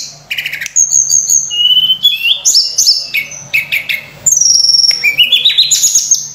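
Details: Lively Sunda robin song, full of varied phrases, played as a training lure for other birds: sustained high whistles, rising stepped notes and dense rattling trills delivered almost without pause, over a low hum.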